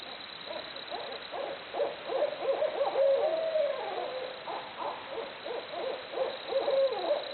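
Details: Several barred owls in a noisy bout of hooting, described as jungle noises: overlapping, wavering mid-pitched hoots and cackles tumbling over one another, with some hoots sliding down at the ends, under a steady background hiss.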